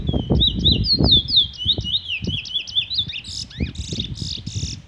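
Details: Chestnut-bellied seed finch, known as the Trini bullfinch, singing the song style called "Revolver": a fast, unbroken run of slurred, warbled whistles ending in buzzier notes, over loud low thumps and rustling.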